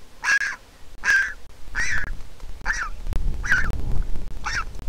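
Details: Nestling Griffon vulture in Israel, hatched April 2021, begs while its mother arrives to feed it: six loud, grating nasal calls about every 0.7 seconds, with a low rumble of movement at the nest midway.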